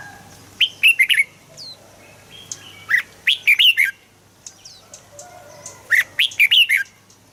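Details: Red-whiskered bulbul song played to make birds excited: clustered, bubbly, fluty phrases repeating about every three seconds, with quiet high rising chirps from other birds between them.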